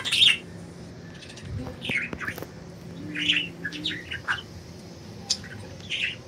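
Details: Budgies flying free give sparse bright chirps and quick clicks at irregular intervals over a faint low hum.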